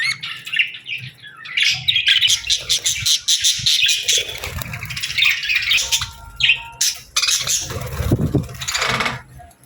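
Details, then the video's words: Budgerigars chirping and singing in the morning, a dense stream of rapid, buzzy, warbling chatter with brief clear whistled notes, and a low rumbling thud near the end. "Parakeets Morning Chirping Sounds"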